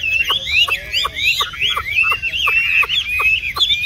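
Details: Caged tame Chinese hwamei, yellow-legged and yellow-billed, sings a rapid chain of bright slurred whistles while sharp tapping clicks repeat roughly twice a second underneath.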